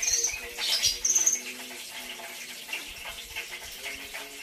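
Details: Brown-throated sunbird song given as premium training material: two quick, very high trilled bursts in the first second and a half, then quieter faint chatter.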